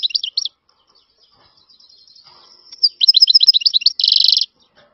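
European goldfinch singing bright, tinkling twitters and rapid liquid trills, ending in a dense buzzy burst; brief quiet gap midway.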